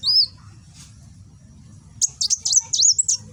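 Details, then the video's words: Gresik, East Java: a kolibri wulung sunbird in nembak song for cagebird tutoring, opening with a lone arched whistle, then after a pause a quick sequence of high thin chirps and swooping notes. "Burung Kolibri Wulung nembak"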